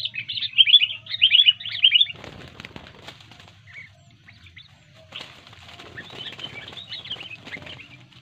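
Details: Sooty-headed bulbul, locally kutilang, singing in full voice after being disturbed and turning aggressive: three quick bubbly chirping phrases, then rustling and flapping with faint twittering.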